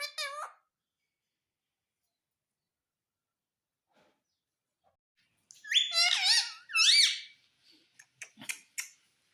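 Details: Indian ringneck parakeet, a talking parrot said to speak the words mummy and papa: a short harsh speech-like syllable, a pause, then a longer run of squeaky, speech-like phrases and brief clicks.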